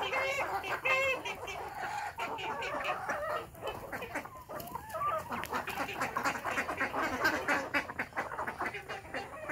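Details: Desi village chickens on a farm in the morning, including naturally hatched chicks: a busy mix of overlapping clucks and chirps, with steady background noise throughout.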